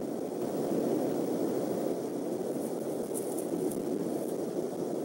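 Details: Continuous low rushing outdoor noise, like distant traffic or wind, with only a few faint high ticks and no clear animal call.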